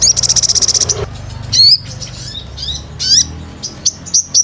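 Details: Sunbird starting with a fast even trill of about fifteen pulses, then spaced high sweeping and falling whistled notes and short chips, over a soft low hum.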